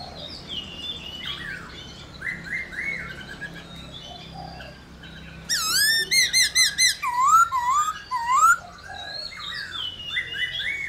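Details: Black-throated laughingthrush delivering réo song to set other laughingthrushes singing: quiet scattered phrases, then a sudden run of bright ringing notes and rising whistled slurs, fading to softer warbling.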